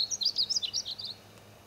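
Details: Painted bunting singing in the Wichita Mountains, Oklahoma: a brief, loud, close phrase of rapid high warbled notes swooping up and down, ending after about one second.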